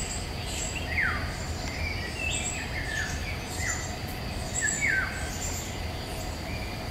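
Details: Golden oriole song in woods, May 2021, recorded on a Nikon Coolpix P1000: clear mellow whistles, several sliding sharply downward, repeated every second or so against continuous low background noise and a faint high steady tone.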